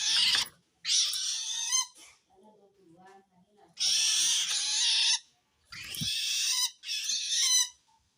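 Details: Long-tailed shrike screeching at wild shrikes, said to signal feeling threatened by other shrikes; five hoarse, scratchy bursts with brief pauses, faint soft sounds between them.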